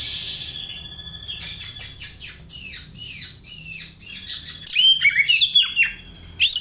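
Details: Oriental magpie-robin imitating house sparrow, useful for tutoring; begins with a hissing note, then steady sweeping chirps, building to a louder burst of whistles and squeaky notes near the end.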